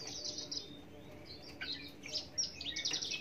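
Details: Bushlark, subspecies parva, delivering rapid high twittering phrases of sharp chirps and brief sliding notes, closely packed at about four per second, over faint background hum.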